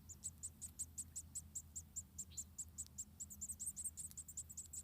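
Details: Munia chicks, about four, in a nest in Indonesia as the mother feeds them one by one: thin, very high squeaky notes repeated rapidly and fairly evenly, about two or three a second, over a low steady hum.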